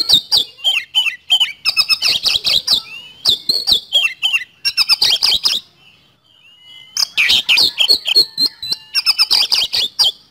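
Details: Energetic Oriental magpie-robin song in rapid 'speed roll' style meant to prompt other birds: long runs of quick harsh chattering notes broken by short pauses and occasional whistled slurs.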